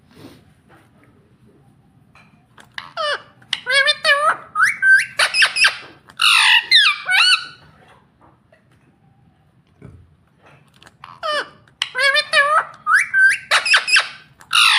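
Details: Green ringneck parakeet calling indoors: bursts of harsh, repeated squawks and rising screeches, a pause of a few seconds, then another rapid run of loud, grating calls.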